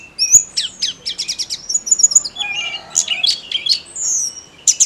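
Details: Snowy-browed flycatcher in full song, intended to excite other songbirds like magpie robins; thin high whistles and a quick series of sharp downstrokes, then lower warbling twitters.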